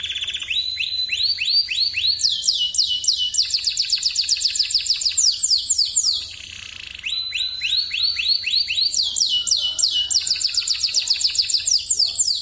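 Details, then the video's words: Loud song of an AF-series canary: rapid repeated whistled notes in rolling trills, rising and falling, with a short quieter gap midway before the trilling resumes at full strength. "Burung kenari seri AF bersuara nyaring"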